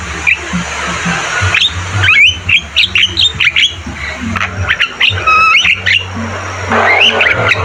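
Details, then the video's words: Javan myna (jalak kebo) recorded to train caged birds, singing energetically: scratchy chatter with scattered upswept whistles and squawks, a cluster of quick trilled whistles near the middle, and a low hum throughout. "Masteran burung jalak kebo gacor Terbaik"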